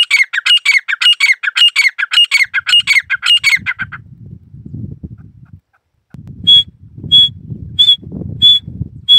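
A grey partridge gives a rapid run of harsh, grating squawks, then sharp high clicking notes about every two-thirds of a second over low rumbling noise.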